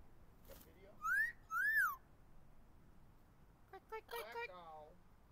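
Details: Pet blue-fronted amazon parrot perched outdoors in a backyard tree on a warm, pleasant day, whistling and screaming its own name. Two loud, clear, arched whistles rise and fall, followed by a short, harsh, harmonic-rich vocal burst.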